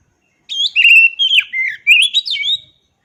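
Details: Kacer song phrase: a loud, continuous string of slurred whistles rising and falling between mid and high pitch, with brief sharp accents, lasting about two seconds after a short silence.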